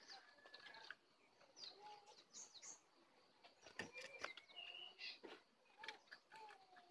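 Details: Sooty-headed bulbuls in a fierce duel, wild bird against caged bird. Short fluty whistled phrases, some low and level, others higher with slurred upward and downward notes, come in quick bursts. Sharp clicks and rustling run throughout.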